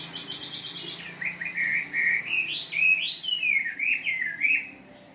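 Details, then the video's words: Chinese hwamei (wambi) recorded in the morning as a lure to set off other birds' song: a quick run of high repeated notes, then loud, rich whistled phrases that slur up and down over a faint low hum. "Pancingan Terapi di Pagi Hari agar Wambi Kalian Ngalas"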